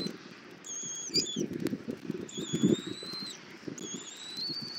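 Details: Bald eagle nest in Southwest Florida, nest camera, 24 February 2024 at 08:41: the mother feeds her eaglet an armadillo for breakfast. Three long, thin, high whistles, each slightly rising, over low rustling and tearing at the nest.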